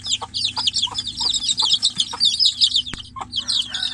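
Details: A caged chick cries out for its mother, the hen being kept outside: rapid shrill peeps, each dropping in pitch, overlapping in a busy stream, with one sharp click near the end.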